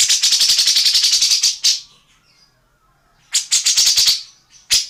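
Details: Tengkek buto or cucak jenggot, an Indonesian bird recorded for training songbirds: bursts of fast, dry, rattling ticks separated by quiet pauses, with a faint thin whistle between bursts.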